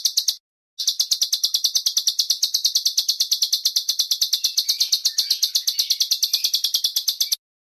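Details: Masteran tutor recording in the rough besetan kasar style, used to train home and contest songbirds: a fast, harsh buzzy rattle of even pulses, about six a second, running steadily after a short opening burst.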